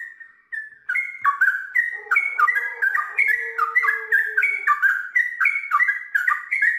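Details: Sooty-headed bulbul in long ropel-style song: a soft opening note, then steady rollicking whistled phrases with pitch jumps, plus a faint lower tonal sound in the middle.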